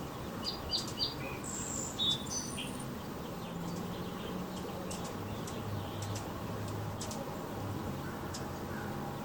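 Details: Tiny hummingbird feeding at a nectar feeder on a cold morning at sunrise, outside a house, recorded about 3 m from the feeder; thin high squeaky chips and chirps cluster in the first three seconds, then a steady low rumble continues.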